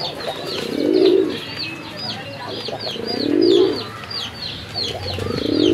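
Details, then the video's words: Native domestic pigeons at a Bangladeshi farm in Kashimpur, Gazipur: three deep, bubbling coos swell and fade roughly every two and a half seconds over a busy background of thin, high chirping. "দেশি কবুতর"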